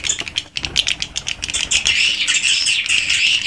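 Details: Inside a swiftlet house, swiftlets call in an original recording: scattered sharp clicks and chirps at first, building into a steady, dense, high twittering chorus.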